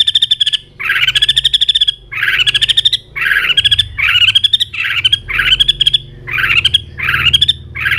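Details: White-rumped shama at peak condition, singing a fighting song and flicking its tail constantly. Loud, harsh, rattling bursts of rapid notes, each under a second long, repeat almost without pause through the recording over a steady low hum.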